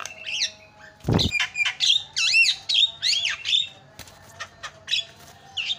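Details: Javan myna calling to set off other mynas: looping, wavering squawks and whistled phrases, broken by one loud low thump.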